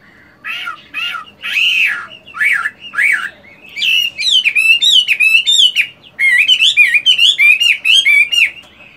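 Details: Morning practice song of a moulting Chinese hwamei, a fighting-type songbird: several loud, arched whistles spaced apart, then a rapid, rich stream of varied slurred and trilled whistles with brief breaks.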